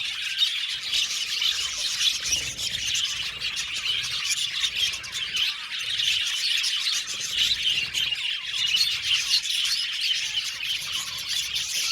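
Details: Budgies chattering in an aviary colony, a crowded stream of high chirps, squawky notes and warbles that never pauses, many voices overlapping.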